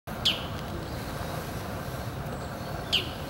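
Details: Bull-headed shrike declaring its territory: two sharp, harsh, high calls with a falling tail, about three seconds apart, over a steady low background rumble.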